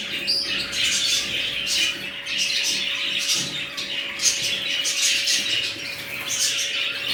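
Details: A newly formed budgerigar colony keeps up nonstop high twittering and scratchy squawks, with a steady electrical hum underneath.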